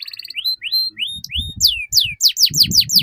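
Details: Canary singing as a tutor for young birds: a quick trill, then rising whistled slurs, then rapid high downward-sweeping chirps repeated several times a second, with soft rustling.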